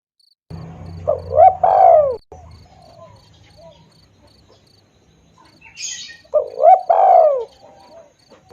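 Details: Spotted dove calling, a recording meant to lure birds: two mellow cooing phrases of swelling rounded notes, the first over a low droning hum, with a short buzzy high burst just before the second.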